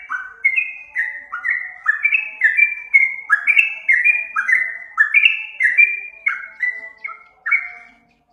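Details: Yellow-vented bulbul song played to lure birds: quick, mellow, gurgling whistles in short descending steps, about two per second, forming a lively chattering run that fades out at the end.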